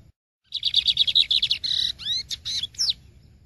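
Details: Lined seedeater delivering the Maranhão song type: a quick rattling trill of high notes, a buzzy held tone, then three or four sharp rising and falling slurred whistles, all in about three seconds.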